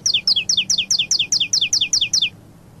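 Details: Saffron finch, Paulista song style: about eleven evenly spaced, bright, high two-part downslurred notes in a brisk two-second phrase, ending cleanly.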